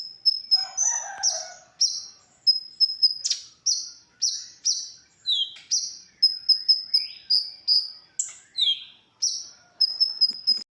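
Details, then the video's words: Konin song for training other songbirds (masteran): a steady stream of high, piercing whistled notes, rapid repeated pips and bright downward sweeps, about two to three phrases each second, with a brief low warble near the start. "suara original konin untuk masteran"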